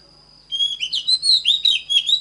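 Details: Oriental magpie-robin song for voice training: after a brief quiet start, a dense burst of bright, warbling whistles and quick chirps, over a faint constant high tone.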